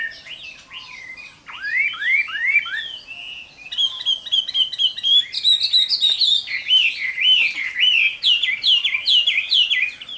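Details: Fighting song of a Chinese hwamei, summer midday: rising slurred whistles, then a fast ringing series of repeated notes flowing into looping warbled phrases.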